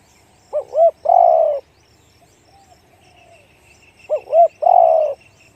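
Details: Spotted dove, 'one-kook' deep-voiced cooing, gives two phrases about three and a half seconds apart, each a short double note then a long coo, with a faint distant tone between them.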